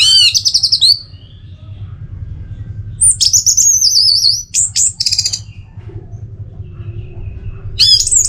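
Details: Orange-headed thrush singing to spur birds into song: loud, high warbled phrases with slurred and stuttering notes, several bursts in quick succession, and a faint steady tone in the background.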